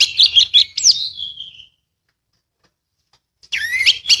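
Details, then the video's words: Song of an anis (thrush), used as therapy for a bird that will not sing: a burst of quick varied whistled and chattering high notes, then about two seconds of silence, then another short twisting whistled phrase. "terapi anis males bunyi/anis macet"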